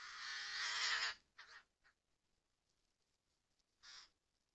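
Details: In a Murmansk region forest, where adult and young common ravens are present, one loud, drawn-out rasping call is followed by two short softer scratchy notes, a pause, then one more brief hoarse call.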